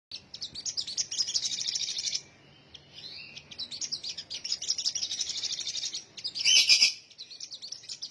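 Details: Sunbird song: rapid, dense high chirps and twitters run in bursts, break off briefly after two seconds, then resume, with a louder sharp burst of notes near the end.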